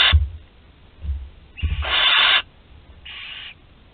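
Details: Thirteen-day-old barn owl chick at Théding, France, 20 July 2020, able to swallow prey whole: a loud, drawn-out rasping hiss followed by a softer, shorter one, preceded by several dull thumps.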